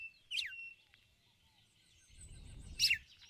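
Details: A female red-cowled cardinal calls toward the male with two sharp, descending chirps about two seconds apart in ticulau style. Faint high whistling from other birds and a low rumbling noise are heard between them.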